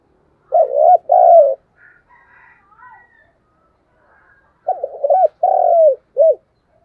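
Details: Decoy spotted dove in an energetic 'thúc gù sung' cooing bout: two low, husky phrases about four seconds apart, each a broken opening, a long coo and a short end note, with faint high chirps between.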